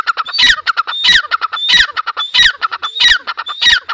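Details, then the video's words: Grey francolin (teetar) calling over and over: rasping, rhythmic phrases about 0.65 seconds apart, each topped by a short upward whistle and broken by clicking notes. "Teetar Awaz | Dakhni Teetar Voice | Teetar Sound"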